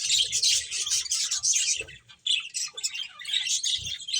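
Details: Steady lively chirping from playing finches, a thick stream of high tweets with one brief dip in the middle before the chatter resumes.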